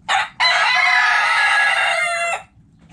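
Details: Rooster in a backyard coop with hens: a brief harsh note, then a long, loud, raspy crow held for about two seconds before cutting off, leaving quiet low background.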